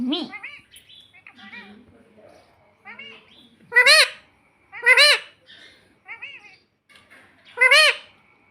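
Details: Talking parrot kept as a pet, repeating "mummy": three loud, harsh, high-pitched syllables spaced about a second apart, with soft murmured human speech and lighter chatter around them.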